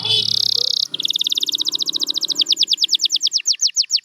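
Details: Champion canary song opens with a short buzzy burst and moves into a long, even trill of repeated notes. The notes grow broader and slightly slower toward the end.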